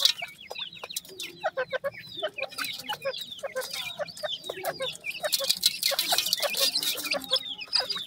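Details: New Grey francolin chicks: a steady stream of quick, high, falling peeps from several birds, growing denser and louder toward the end, with occasional clicks and a faint low hum.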